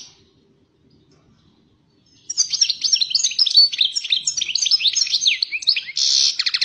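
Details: European goldfinch, described as fiery, launching after two seconds of quiet into a fast, continuous tinkling twitter of high chirps and trills, ending with a harsh buzzy note and a few clipped repeated notes.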